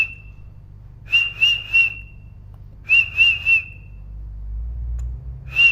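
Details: Parrot giving clear whistled chirps, each note pulsing briefly, in three tight groups of three about every two seconds, with a low background hum throughout.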